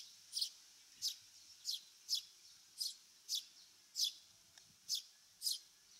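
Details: A single wild Eurasian tree sparrow, a Japanese bird of fields and waterside, repeats a short bright chirp about twice a second, each note crisp and high, against a quiet background with a faint click.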